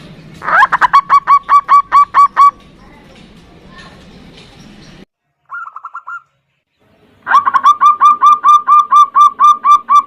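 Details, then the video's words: Local zebra dove in the 'ndudut' variation song, a lure to call a rival and rouse it: two loud runs of rapid, clipped, hooked notes, with a brief fainter phrase and silent gaps between them. "Perkutut Lokal GACOR suara VARIASI NDUDUT Ampuh memanggil Lawan EMOSI MANGGUNG PANCINGAN PERKUTUT"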